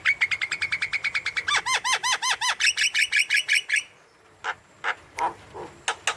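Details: Javan myna, a vocal bird used as a lure to get young, lazy or silent mynas to call: about twenty rapid, even notes flowing into arched ringing whistles, a brief pause, then several loud harsh chacks.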